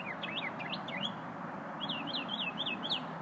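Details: Small unidentified songbird heard at lunchtime repeating looping whistled phrases: a run of wavering downslurred notes, a short pause, then four quick matching loops, over a low steady rumble.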